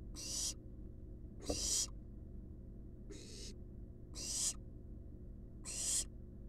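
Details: Resting barn owl nestlings in a wild nest box under scientific monitoring give five loud, breathy hissing bursts about 1.3 seconds apart, plus one brief click, above a low constant hum.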